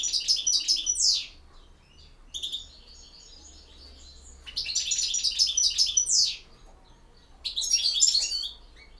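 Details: European goldfinch singing campero song: three loud, rapid bursts of high, tinkling twitters, each ending in a sharp downward slurred note, separated by quieter pauses of about a second.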